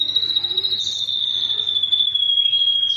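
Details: Ashy drongo singing in full tembakan style: one continuous high, rapidly pulsed trill holding nearly level, slowly sliding slightly lower over three seconds, with a steady low hum behind.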